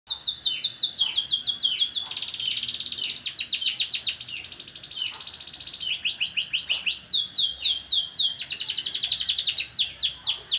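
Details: Canary in fresh new plumage, singing energetically from Klaten: loud high trills and rapid repeated notes, some sweeping downward, delivered in long continuous phrases about 222 notes per minute with brief changes of rhythm.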